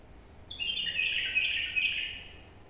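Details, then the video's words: Newly wild-caught caged bulbul sings one rich, warbling phrase lasting about one and a half seconds, its notes sliding and jumbled together, against soft steady background hiss. "بلبل وحشي جديد واحلى نغمات تسمعه"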